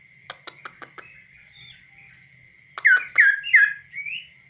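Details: Tame kaso-kaso bird singing freely on a hand, no cage: a series of sharp clicks, then three loud downslurred whistles and a softer rising note, over a steady high hum.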